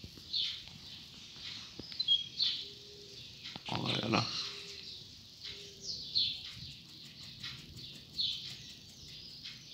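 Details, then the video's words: A captive double-collared seedeater (coleiro), used as a teacher bird, sings vigorously at dawn: rapid, high twittering phrases in short bursts about every two seconds, with a brief broadband rustle and faint low hums. "Amanheceu Assim! Picando Canto Adoidado!!!"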